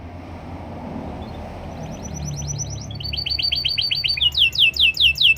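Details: Canary singing: after a quiet start, rapid series of bright, high chirped notes in repeated phrases, each phrase a fast trill of rising then falling elements, growing louder toward the end over a low background hum.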